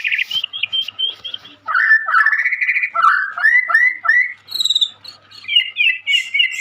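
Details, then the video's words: Lively young white-rumped shama, caged in Indonesia, mixing quick chattering notes with rising slurred whistles and short trills in a varied run. "Burung Murai muda gacor calon juara"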